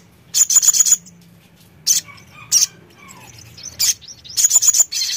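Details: Sogon song meant to coax a bird into replying: short, very high chirp bursts, one rapid run of five notes, then separate sharp notes spaced about a second apart over soft background hum.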